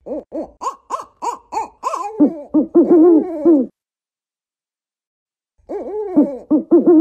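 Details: African wood owl: a fast run of higher, bouncy hoots gives way to lower, throaty hoots. Silence follows, then another quick burst of deep hoots.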